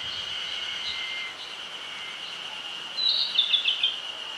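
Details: Wild Narcissus flycatcher in the Nishi-Zao highlands of Yamagata City, Japan, giving a quick run of sharp, high, chirped notes near the end, preceded by quieter faint notes, with a constant shrill background drone.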